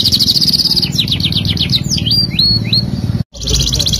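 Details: Singing canary delivers a rapid high trill that breaks into quick descending slurred notes, then several rising whistled upslurs, a short silence, and a high rolling trill resuming, with low background hum throughout.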